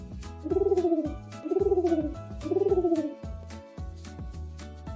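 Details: Pigeon cooing: three drawn-out, wavering coos, each about a second long and arching slightly in pitch, followed by quieter breaks, over background music with a steady rhythmic beat.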